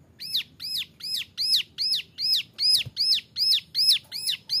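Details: Training song from a young male Bar-winged Prinia: clear, high chirps with an arched shape and harmonic ring, delivered at an even pace of about two and a half per second, with a faint click partway through.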